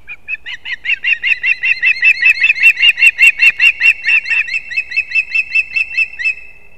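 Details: Nestling ospreys competing at their pine-tree nest in Kurzeme, Latvia, on 11 September 2024, give a long insistent run of piping whistled chirps, about two and a half per second, swelling louder mid-series then easing off.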